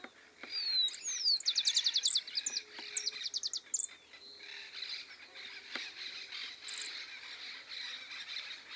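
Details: Rufous-collared sparrow in Entre Ríos woodland, Argentina, sings high slurred whistles and a quick run of repeated notes ending in a short trill, over a steady insect-like hiss.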